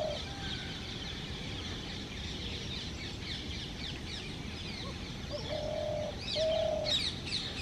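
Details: Male spotted dove in a tree cooing to attract a female for nesting: a few low steady coo notes late in the clip, over a constant high insect-like hiss and chirping of other small birds.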